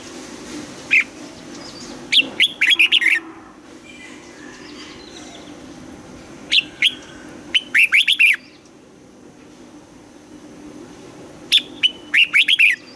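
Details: Morning song of a red-whiskered bulbul in the old-forest double-note style, recorded for voice training: three bursts of rapid, slurred, whistled notes, spaced roughly five seconds apart, with quiet gaps between.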